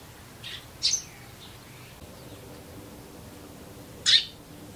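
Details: Wild Eurasian tree sparrow living near people in Japan: two sharp, harsh chirps about three seconds apart, each a brief broadband burst, with a fainter chirp before the first, over quiet background hiss.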